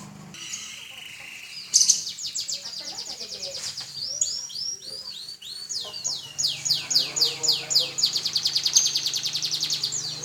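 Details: Canary singing nonstop: scattered high chirps, then a run of looping whistled sweeps building into long, fast, high-pitched rattling trills, with a low steady hum in the background.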